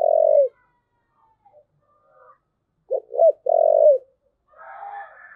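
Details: Thúc gù cooing by a spotted dove: the tail of one long coo, a quiet gap, then a phrase of two short hoots and a long mellow coo, with faint higher chatter at the end.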